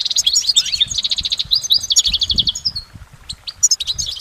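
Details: Goldfinch singing in nature, a long unbroken song: rapid high twittering notes and short trills, a couple of downslurred whistles, brief pause near three seconds, then more tinkling chirps. Faint low rumble beneath.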